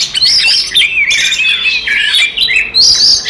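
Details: Oriental magpie-robin giving its provoking fight song: dense, high whistles with rising and falling glides interwoven with raspy squawks, delivered in an unbroken torrent with only brief dips.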